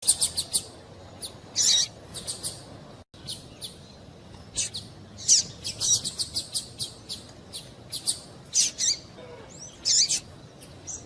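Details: Female double-collared seedeater calling, a sound used to excite a male so he keeps singing; short, high, bright chips and buzzy bursts scattered irregularly, some in quick clusters, over faint background hiss.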